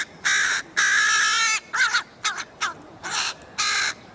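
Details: Two young Carrion Crows on Buck Hill, chasing their parents and begging for food, give harsh, drawn-out begging caws, about seven in four seconds, some long and nasal, others shorter and broken.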